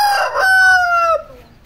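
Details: Aseel rooster crowing: a loud, harsh opening that smooths into a long, sustained tone gliding slowly downward before cutting off, under two seconds in total.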